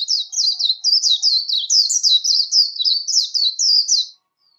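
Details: Rapid, lively líu song of a warbling white-eye for voice training, about four seconds of continuous high, chattering slurred notes delivered at a fast rate, then quiet.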